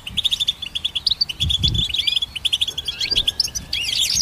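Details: Goldfinch singing a fast, tinkling twitter of short high chirps with occasional buzzy slurred notes, a steady run of rapid notes with a brief low thump near the middle.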